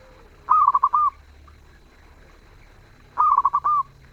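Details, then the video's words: Two bright, clear phrases from a zebra dove singing actively and sweetly, about two and a half seconds apart, each a fast stutter of mellow notes rounded off by a longer coo. "Perkutut gacor suara merdu"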